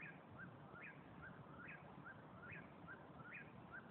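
A Whip-poor-will repeats its whistled three-part phrase about once a second, the last note rising sharply. A steady low rumble sits underneath.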